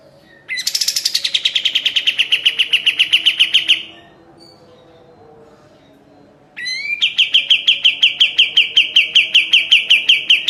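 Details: Sooty-headed bulbul, singing for a cage-bird training master: a loud burst beginning high and sliding down into a fast chirping trill, a silent gap of a few seconds, then a second rapid trill of crisp repeated notes.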